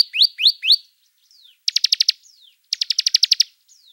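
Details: Bar-winged prinia, a caged songbird, singing: three high upward-sweeping whistles, then thin descending slurs and two rapid bursts of about seven high clicking notes, clean and loud.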